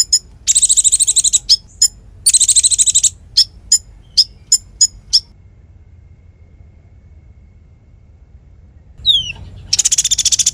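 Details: Konin singing as tutor song for songbirds. Two buzzy high trills come with a string of evenly spaced sharp chips. A few seconds of near silence follow, then a downslurred whistle and another long trill.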